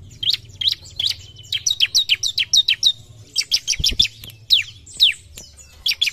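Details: Bar-winged prinia singing hard against a rival that makes it rage straight away: dense, almost continuous stream of sharp, high chirps and downward-slurred notes, a brief low thump near the middle, soft hum underneath.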